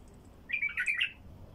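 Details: Wild bulbul song, played to attract wild bulbuls: one short, bright warbled phrase of quick, tumbling notes lasting about half a second over a quiet background.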